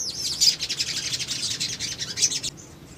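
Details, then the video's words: Little spiderhunter male in agitated lure song, a continuous stream of high sharp chips and short whistles that stops abruptly before the end, leaving quiet background. "PANCINGAN CEPAT MACET BUNYI SOGON BAHAN IJOAN"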